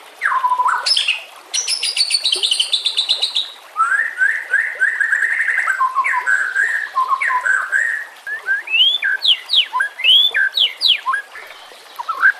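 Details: Murai batu (white-rumped shama), harsh rapid training song for teaching caged birds: a loud falling whistle, then buzzy high rattles. Choppy mid-pitched chatter follows, ending in steep rising and falling whistled sweeps.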